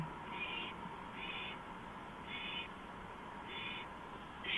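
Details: An owl on a porch at 2:05 AM on April 5, 2015. It gives harsh, hissing, breathy bursts, each about a third of a second long, repeated roughly every second over a steady low background hum.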